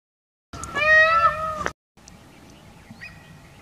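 A single loud, nasal, wailing peacock call about a second long, followed by quieter background with faint distant calls.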